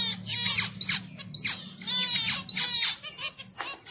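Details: Mating finches call in a busy stream of high, sharp chirps and short rising squeaks, several overlapping, over a low steady hum in the background.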